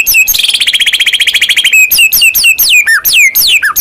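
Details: A white-rumped shama kept caged and singing vigorously, ready for contest, pours out a fast rattling trill that slides gently downward, followed by a string of sharp, loud, falling whistled notes.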